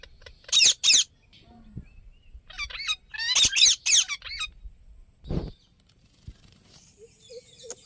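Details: Ringneck parrot calling in clusters of sharp, high, rasping chirps, a pair at the start and a longer run of rapid notes mid-way, with a low thump and quieter pauses between.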